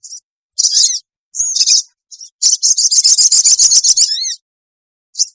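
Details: Lure recording of a sooty-headed bulbul for gathering wild birds: a few short high chirps, then a rapid two-second rattling trill, ending in a lone note.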